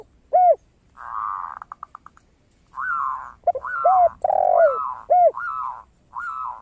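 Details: Zebra dove, known as perkutut, singing actively with a clear 'crystal' voice as a lure for other birds; rolling, buzzy trilled phrases and a run of quick ticking notes mix with the deeper arched coos of a spotted dove.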